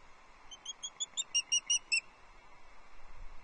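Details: Piercing, evenly spaced whistled chirps, about ten in a row, from a female osprey fish calling to her mate at her Loch Arkaig nest on 6 July 2024, followed by soft background rumble.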